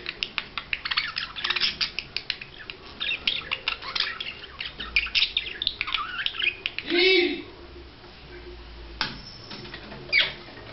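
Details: Budgerigar during courtship display, chattering in fast scratchy chirps and squeaks, then a louder drawn-out buzzy squawk, followed by quieter pauses and a final short squeak.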